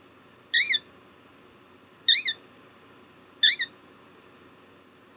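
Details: A hand-fed cockatiel chick on day 23 gives harsh, squeaky begging calls in quick double notes, repeated every second or so.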